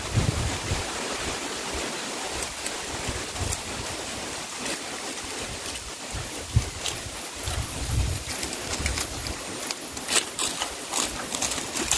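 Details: Steady rushing water and wind noise with a few clicks and knocks, and no clear animal calls.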